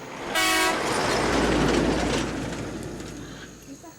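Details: A passing train with a short horn blast, then a rolling rumble that fades away, and no animal calls.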